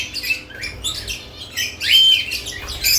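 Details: Lovebirds active around added nest boxes give scattered shrill squeaks and chirps, building to a loud, harsh squawk near the two-second mark amid softer chatter.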